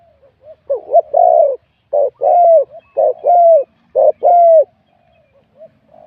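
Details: Wild-caught spotted dove in a singing competition, scoring 87 points, with a medium-to-large voice class. It gives about four low, hollow two-part coos: a short clipped note, then a longer steady hooted note, repeated about once a second.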